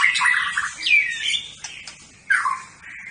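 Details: Champion competition white-rumped shama giving short bursts of whistled, slurred notes and rough chatter, with a louder downslurred whistle at the start and again near the end.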